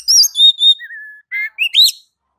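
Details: Oriental magpie-robin, known locally as kacer, giving a ngeplong-style training song. High whistled notes, two steady sustained whistles, a lower long wavering tone, then a few quick rising chirps. No other sounds.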